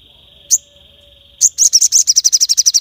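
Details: Crested jay calling sharply to provoke other birds: a steady thin high whine with one sharp click, then a burst of rapid, high, dry rattling clicks to the end.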